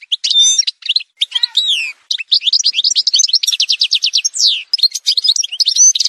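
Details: Continuous Algerian goldfinch song, montage recording: rapid varied twittering, buzzy trills and repeated rising-falling whistled notes delivered almost without pause.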